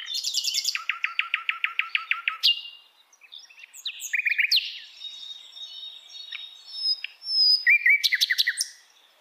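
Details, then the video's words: Wild hill blue flycatcher song starting with a long regular trill of repeated notes that drops in pitch, followed by softer whistles and a closing rapid trill. "KICAUAN SIKATAN LONDO DI ALAM LIAR"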